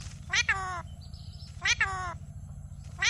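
A ring-necked parakeet talks in three nasal, speech-like bursts, each rising then falling, somewhat meow-like, roughly every second and a half, over a steady low hum.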